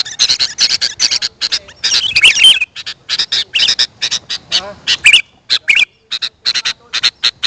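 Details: Sooty-headed bulbul, played to lure wild birds: rapid series of harsh, buzzy, squawking chattering bursts in quick uneven succession, a few with brief whistled inflections, loud and close with faint background music.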